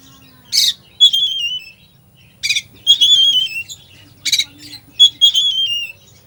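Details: Full 'isian' song from an Oriental magpie-robin, played to provoke a sluggish bird: harsh rasping bursts each followed by long, clear, gently falling whistled notes, the pairing repeated several times, over a soft low hum.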